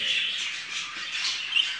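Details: Pet budgerigars kept indoors, a Rainbow-type pair having laid their fourth egg, give continuous scratchy, high chattering with short squawky bursts.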